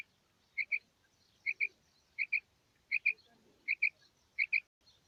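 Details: Female quail (batair) calling, morning recording used to lure quail for hunting: crisp high paired chirps, two rapid notes per pair, repeated about every three-quarters of a second against near silence.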